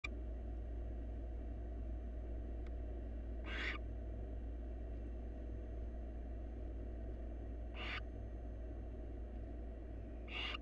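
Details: Wild barn owl at a monitored nest box, swallowing prey whole: three short, harsh, breathy hissing bursts spaced about four seconds apart, over a steady low electrical hum.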